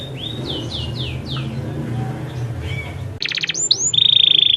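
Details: Canary song for tutoring young canaries: a series of descending slurred whistles, then a gap before a loud rapid trill, upswept notes and a long buzzy high rattle, with low background rumble.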